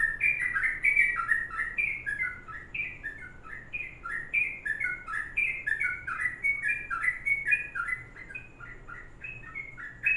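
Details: Long 'kongslet' or ropelan panjang song of a sooty-headed bulbul, heard as a continuous fast run of gurgling, slurred notes that rise and fall roughly three to four times per second, with a faint background hum.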